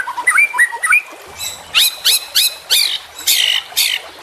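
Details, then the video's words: White-rumped shama, a juvenile, gives a few short whistled notes, then loud harsh rasping bursts repeated roughly every half second. "MASTERAN Trotolan Murai Juara Supaya Cepat Rajin Bunyi & Gacor"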